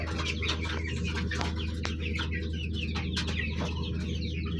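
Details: Colourful baby chicks giving quick, high, falling peeps, partly masked by knocking clicks and a constant low hum.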